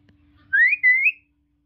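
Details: A pet talking common hill myna gives a loud, clear two-part whistle: a rising slur, then a level note that lifts at the end. The whole call lasts under a second.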